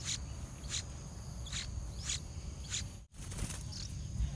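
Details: A parent bulbul gives short, harsh, scratchy alarm notes about every half second while the parents attack a small snake that came to bite their two nestlings, over a steady low rumble.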